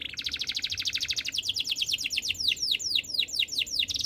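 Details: Canary singing a fast rapid trill of high notes that shifts into slower repeated downward-sweeping whistles, phrases changing every second or so, with faint low background hum.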